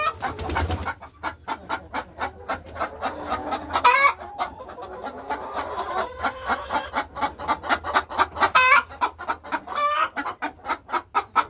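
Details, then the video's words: Laying hens settle into nesting boxes and pace the ledges of their hen house one quiet afternoon; rhythmic short clucks repeat steadily throughout, broken by a few sharp, higher squawks. "A Peaceful Afternoon in the Hen House | Real Farm Sounds"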